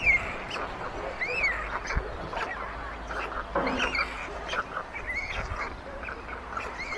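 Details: At a white stork nest on a chimney in a Hungarian village yard, May 22, 2024, elder chicks take food from the youngest; scattered arched, mewing notes, some sharply upslurred, recur through the stretch amid low-level rustling and background hum.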